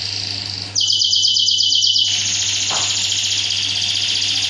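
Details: Masteran canary song, full tembakan style, used to teach other canaries: a continuous high, rapid buzzy trill that rises in loudness and stays sustained to the end, over a steady low hum.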